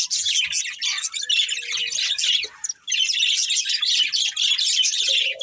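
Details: Budgerigar chatter in two long bursts of fast, buzzy, warbling chirps separated by a brief lull, ending with a soft low whistle.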